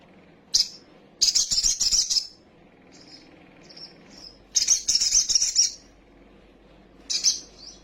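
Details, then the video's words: Little spiderhunter lure song for stirring young birds into agitated full singing: bursts of very high, rapid, buzzy chatter, about a second long, with faint thin notes between the bursts. "PANCINGAN BURUNG KOLIBRI SOGOK OTONG BAHAN CEPAT EMOSI BUNYI FULL ISIAN SOGON NGELEPER"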